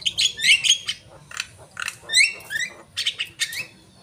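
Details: Asian pied starling in energetic full song, a dense run of harsh squawks, rising whistled notes and chattering bursts, phrases packed closely over a few seconds with brief gaps.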